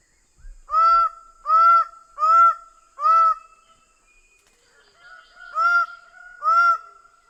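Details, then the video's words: Greater bird-of-paradise in a rapid series of loud, nasal, honking calls, four in quick succession, a short pause, then two more, each note ringing with a held tail. "Greater bird of paradise sound"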